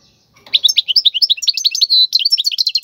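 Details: European goldfinch, wild, singing a song used to train fledglings: lively rapid chattering twitters, a sustained buzzy note, then fast repeated bright chips to the end.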